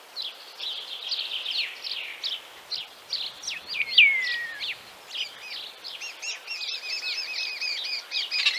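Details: A Central Russian Common Starling delivers varied chirps and a slurred downward whistle, then switches to a fast series of repeated, wavering squeaky notes.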